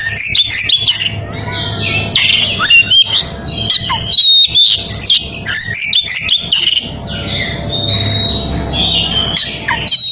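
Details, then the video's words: Oriental magpie-robin, breeding condition, calling a rival in energetic bursts of whistles, fast chattering notes and high squeaky accents, pausing briefly between phrases; a low hum sits in the background. "Kacer birahi memanggil lawan"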